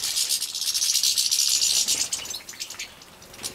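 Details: Young captive-bred European goldfinches being fed in Poland, 2017. A dense, continuous, buzzy high-pitched chatter of begging calls comes in fast pulses and tails off toward the end.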